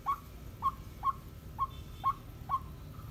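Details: Seven-and-a-half-month-old female white-breasted waterhen used as a decoy, calling alone: six short clipped notes, each a quick upward flick, spaced roughly half a second apart against steady low rumble.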